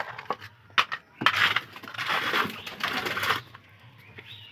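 Clattering, scraping and rustling of cleaning in a small room, with no clear animal voice.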